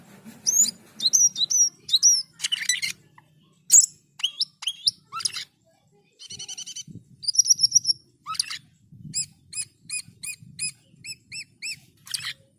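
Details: Asian pied starling song with rising whistled phrases, harsh buzzy bursts, a rapid trilled series, then a regular run of repeated short whistled notes, over a faint low rumble.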